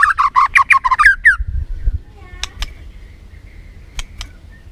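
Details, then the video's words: White-rumped shama song played as a lure to rouse a caged bird: a fast burst of harsh, stuttering chirps for about a second, then sparse clicks and faint thin notes. "PANCINGAN MURAI BATU BONGKAR ISIAN GACOR, MURAI BATU MALAS NAIK EMOSI LANGSUNG BUNYI GACOR."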